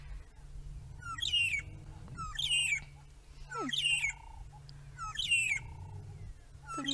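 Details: Magpie shrikes at sunset on 10 June 2017 at Djuma Game Reserve, long-tailed birds moving around: clear whistled falling calls repeated about every one and a half seconds, with a low steady hum, wind and a man talking.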